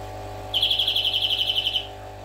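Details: European greenfinch song: one fast, even trill of about fourteen bright, rolling notes lasting just over a second, over a low steady hum.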